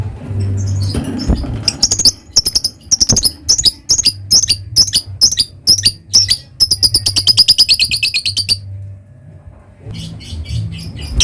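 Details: Lovebird ngekek chatter: scattered squeaks build into a fast run of shrill rasping notes that speeds into a dense trill, breaks off, then resumes softly near the end, over low hum.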